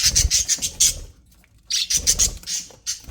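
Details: Happy budgerigars in an aviary chirping: two bursts of high, scratchy squawks and chirps, a quiet pause of about half a second between them.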